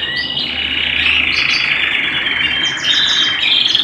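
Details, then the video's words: Short burst of canary song at home, a dense bright warbling roll held steadily with a few higher chirps on top and a faint low hum underneath. "canary bird - canary singing - canary sounds - canary singing at home - beautiful canary birds"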